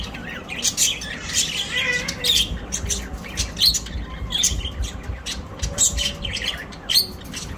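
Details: Colorful budgies flying in a home in Larkana, Sindh, September 12, 2023, giving a busy mix of sharp squawks, scratchy chirps and short warbled notes from several birds at once, over a steady low background hum.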